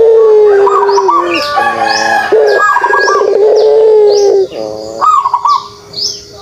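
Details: Pelung dove kugeruk: long, low, steady coos with a throbbing texture, broken by short higher wavering notes, then quieter low tones. Repeated high chirps from other birds are heard across the recording.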